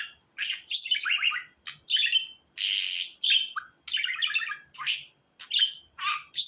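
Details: Pet budgerigar warble with distinct phrases: rasping buzzes, bright squeaks and downward-sliding chirps, grouped in bursts under a second long with short silences between, in quiet surroundings.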